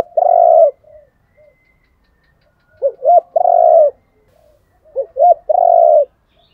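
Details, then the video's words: Spotted dove decoy coos, cock and hen voices used to stir birds in training to call: two short clipped notes followed by a long, low, rolling coo, repeated twice after an opening long coo. The background is quiet. "tiếng chim cu gáy thúc đấu. cu gáy kích bổi nhanh nổi gù, chim cu mồi giọng hay dùng tập bổi"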